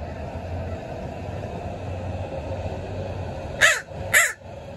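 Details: Urban crows at sunrise, gathered to feed on egg yolks: two short, harsh caws near the end, half a second apart, over a steady low city hum.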